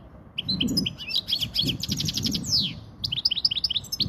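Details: Faultless song of a Spanish-type European goldfinch, used to teach young goldfinches and stir females; quick tinkling twitters and a fast trill, a falling buzzy slide, then more bright chirps, with faint low murmuring underneath.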